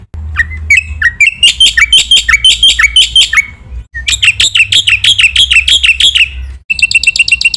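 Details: Black-winged myna singing a full training song to provoke rival mynas: stuttering chirps build into fast bursts of bright, scratchy notes, broken twice by short silences, ending in quick repeated squeaks over a low hum.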